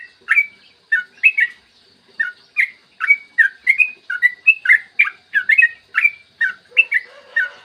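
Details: Yellow-vented bulbul singing in the chatty long-rolling 'gacor ropel panjang' style, used as a lure to get other bulbuls singing: rapid bubbly, liquid two-tone notes, rising and falling, tumbling out several per second with brief pauses.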